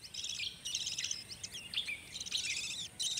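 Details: Wild budgerigar chicks in a tree-hollow nest in the gorges of Australia's central ranges, breeding after rain, give high, busy chattering and scratchy chirps in quick bursts with brief pauses.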